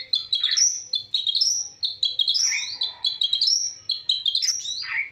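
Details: Long-tailed shrike chirping in the morning: a rapid run of high twittering notes and sliding squeaky phrases, some dropping sharply in pitch, delivered almost continuously with tiny gaps, in a quiet setting.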